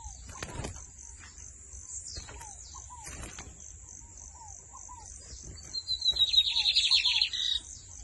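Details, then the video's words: Lined seedeater singing: soft, faint downslurred notes early on, then a loud rapid buzzy trill of repeated high notes lasting about a second and a half near the end, over a steady high hiss. "BIGODINHO MAGNATA FOI PRA CIMA COM TUDO DO TORNEADO SOLTO!"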